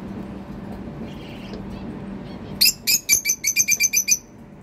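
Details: Cockatiel calling because it is hungry: after a quiet start, a fast, slightly irregular series of about a dozen bright, harsh chirps, each stacked and piercing, repeated several times a second.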